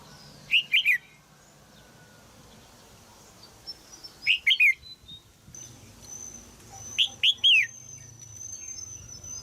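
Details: Caged female red-whiskered bulbul from Thailand uttering sharp chirps to coax a young male into singing; three bursts of three falling notes at intervals of about three seconds, with a faint thin whistle in the background.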